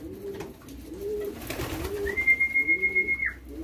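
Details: Young homing pigeons being hand-fed and trained to respond to a whistle, indoors. Soft low coos repeat roughly every 0.7 seconds. A steady high human whistle runs through the second half, ending in a downward slide.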